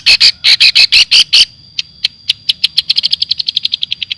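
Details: Javanese long-tailed shrike in clear, full filler song: loud doubled harsh notes, then a run of sharp chips that quickens to a fast, even ticking series, with a steady high whine behind.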